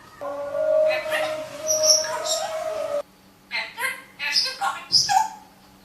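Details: Speaking parrot indoors: a sustained, steady, tonal voice for three seconds, then a quick series of short, chattering, word-like syllables.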